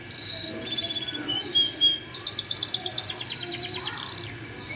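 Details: A yellow canary sings a bright, high warble of varied whistles, then a fast rolling trill of rapidly repeated notes.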